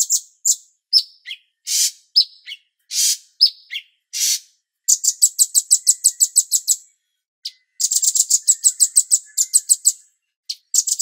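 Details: Cucak cungkok bulbul master song with pauses and a water-therapy theme: sharp high chirps and short whistled notes, then rapid bursts of clicking notes repeated about five per second, in two long trills separated by brief silence.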